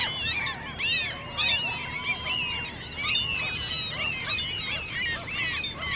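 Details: Several common gulls squeaking during the mating season as a begging display. The high, arched, harmonic squeals overlap densely, with one long level whine running through the middle of the chorus.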